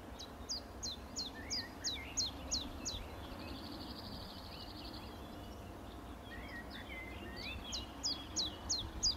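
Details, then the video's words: Common chiffchaff repeating high, falling chip notes in two bursts separated by a pause, while other birds add lower slurred whistles and a brief buzzy trill in the background. "LUI' PICCOLO (Phylloscopus collybita)"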